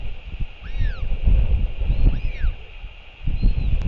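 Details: Royal albatross in New Zealand, recorded by a nest camera at 7:58 pm on 28 March 2023 as the male parent comes home to feed the chick. Two arched, falling tonal calls sound over steady wind rumble.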